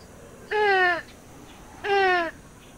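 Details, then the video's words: Purple swamphen gives two nasal, wailing calls, each about half a second long and sliding slightly downward, spaced just over a second apart, over a quiet background. "صدای طاووسک"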